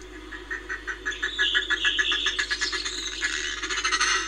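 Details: Northern fulmar recorded in Reykjavik, Iceland, on 25 April 2024: a rapid run of harsh, guttural pulses, about three to four a second, that grows louder and denser halfway through, over a steady low background hum.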